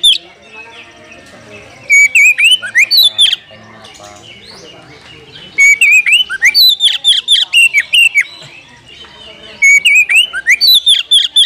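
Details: Oriental magpie-robin calling out a rival to fight, in an agitated, tail-spreading display; loud bursts of rich, rapidly varied whistled phrases with sharp clicks, recurring about every four seconds, separated by quieter gaps with faint background chatter.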